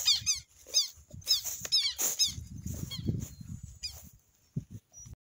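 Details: Several shrill, scratchy southern lapwing notes from the Amazon in the opening seconds, then fading, with low rumbling noise dominating later.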